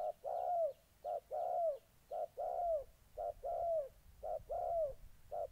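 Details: Spotted dove calls in Gia Lai, Vietnam, 14 August 2020: a molting decoy bird faces an eager-to-fight wild dove. Low, hollow coos repeat steadily, short notes alternating with longer downward-slurred ones, about one note per second, over quiet background.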